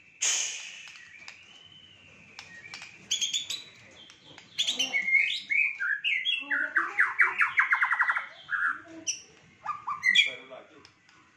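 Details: Richly filled fighter-style song of a white-rumped shama: a soft rising whistle, scattered sharp clicks, then a fast train of repeated chirping notes and closing sweet whistles.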